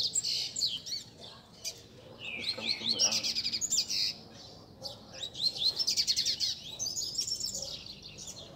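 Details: A group of captive coleiros, double-collared seedeaters kept by bird keepers, sing together to warm up a competition bird. Dense, high, chattering warbles overlap throughout, with brief quieter gaps and a faint human voice around the middle.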